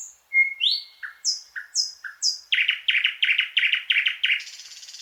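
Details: A thrush nightingale sings a long thin whistle, then repeated dropping notes and high slurred whistles, ending in a quick series of hard, repeated chock notes that run into a rattling buzz.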